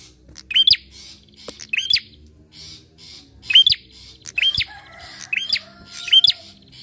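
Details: Bar-winged prinia song played as a lure to prompt other birds to sing: harsh, high, upward-hooked chirps in doubled bursts roughly once a second, with a brief whistled tone and low hum in the background.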